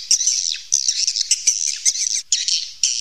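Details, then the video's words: Cave recording of natural swiftlet calls: short bursts of shrill, buzzy twittering separated by brief gaps and sharp clicks. "suara panggil walet asli alami rekaman dari goa"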